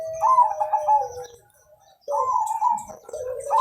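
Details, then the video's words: Perkutut, or zebra dove, of Mojopahit colouring, singing to prompt other birds: a smooth descending coo under stuttering notes, then after a brief silence a second rippling phrase ending in a rising coo. "Perkutut Gacor Panjang Suara Merdu Warna Mojopahit Untuk Pancingan"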